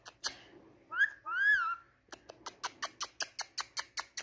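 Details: Indian ringneck parakeet talking with two wavering whistled, speech-like syllables, bracketed by sharp clicks and followed by a steady series of rapid ticking taps.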